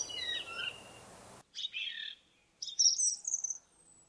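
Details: In a forest, an indigo bunting gives two short bright phrases about a second apart, each a quick set of high slurred notes, the second climbing higher and thinner, after an abrupt cut from noisier ambience.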